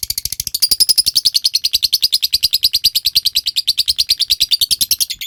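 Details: Ngekek of a lovebird, the long trill used to coax other birds into singing: very rapid, sharp repeated notes that start unevenly, then settle into a steady, high, buzzy chatter to the end.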